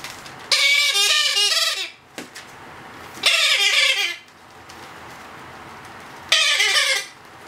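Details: Two-month-old Blue-headed Parrot chick being hand-fed, giving harsh, rasping begging calls in bursts of about a second, three bursts separated by quiet pauses.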